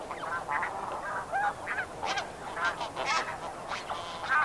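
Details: Medium-distance Snow Goose flock calls, loose honks and higher yelps from several birds, irregularly spaced and softened by distance, over constant background hiss.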